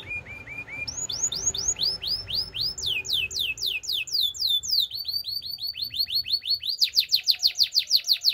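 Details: Belgian canary singing long series of curved whistled sweeps that climb step by step in pitch, several per second, ending in a rapid pulsing high trill.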